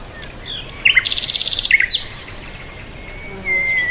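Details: Bird chirping: a few high sharp chirps, then a rapid, even trill of about a dozen notes lasting under a second, then a couple more chirps and a thin high whistle near the end over a quiet background.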